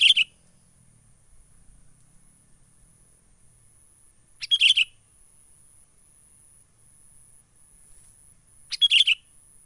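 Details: Wild sooty-headed bulbul lure call for bird trapping, menggaruda style: three short, bright chirped bursts, each about a third of a second, spaced roughly four seconds apart against a quiet background with a faint high steady hiss.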